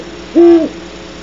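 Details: Single deep, steady hoot from a great horned owl close by at Starr Ranch, recorded at 2:30 am in January; a level, mellow note lasting about a third of a second over low background hum.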